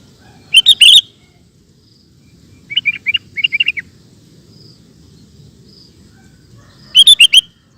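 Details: Sooty-headed bulbul singing in the rapid 'ropel' style: loud bursts of bright chirping notes near the start and end, with a soft run of short, quick chips in between and quiet background.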